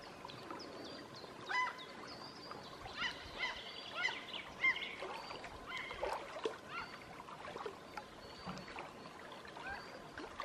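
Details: Common gulls flying by overhead at midsummer in Southern Savonia, Finland, giving high, nasal, squealing calls, many overlapping in short bursts over faint background noise.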